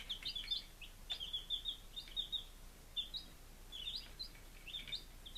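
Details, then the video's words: Baby chickens at five days of age, Lunenburg, Massachusetts, 23 July 2017, calling in lively runs of high, whistled peeps, several per second, rising and falling, over quiet background noise. "Baby Chickens - Day 05"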